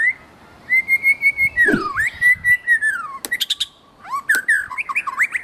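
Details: Wild white-rumped shama singing melodiously: a long steady whistled note, then a falling slurred whistle. Quick clicking notes follow, then a run of varied rising and falling whistled phrases, with little background noise.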